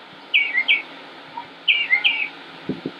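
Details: Northern mockingbird (Mimus polyglottos), male, Concord, North Carolina, United States, 25 May 2016, during a long varied song; a paired bright slurred note sounds twice about 1.3 seconds apart, with soft low knocks near the end.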